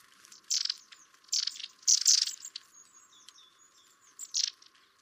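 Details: Long-tailed tit pair at winter garden feeders, recorded from over 40 feet through a double-glazed window; four short, harsh, buzzy bursts, three clustered early and one later, with faint thin high whistles between.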